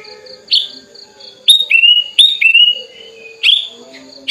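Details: Tame, hand-raised sooty-headed bulbul spreading its wings and calling a rival: loud rich whistled phrases that dip and level off, repeated in bursts about a second apart, with softer chirps from other birds behind.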